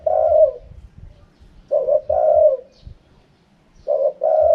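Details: Spotted dove giving its wild-style 'karam pa' cooing: three loud, mellow, low coo phrases, each a short note then a longer falling coo, with soft low thumps beneath.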